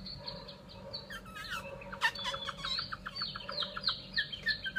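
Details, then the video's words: Fairly quiet song of a Chinese hwamei kept as a cage bird in Vietnam, a jumble of short whistled notes and a few sharp clicks running steadily throughout. "họa mi"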